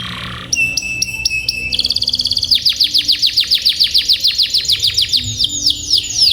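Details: Domestic canary song used as a tutor recording for young canaries learning to sing long rolls: a buzzy burst, stuttered high pulsed notes over a held tone, then a long rapid trill of downward-sweeping whistles about eight per second.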